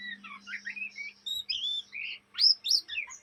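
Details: Young Oriental magpie-robin, Indonesia, in ngriwik chatter: a short burst of sweet whistled slurs and buzzy notes ending in loud, high rising squeals.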